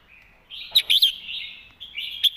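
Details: Red-whiskered bulbul singing a crisp master-song phrase: three or four loud, tumbling whistled notes followed by a sustained chattering warble, then a last sharp note.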